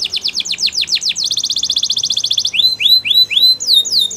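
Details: Belgian canary song: falling whistled notes, a fast even trill, then rising and falling whistled slurs, with faint background noise.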